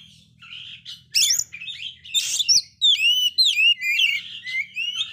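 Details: Oriental magpie-robin in a failed moult, singing very actively, used to stir up magpie-robins that have lost their spirit; loud harsh rasping bursts, then a rapid run of sharp whistled notes and sweeping slurred phrases.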